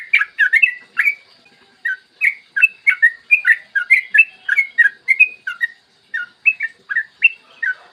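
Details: Morning song of a yellow-vented bulbul, a lure for other bulbuls: a lively stream of fluty chirps at a quick, slightly uneven rhythm, thinning to more widely spaced notes near the end.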